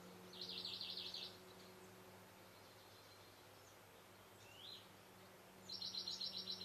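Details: At Camorritos, Cercedilla, on 16 May 2009, a male great spotted woodpecker gives two fast runs of sharp, high repeated notes at the start and end, a brief faint slurred note between, over low hum.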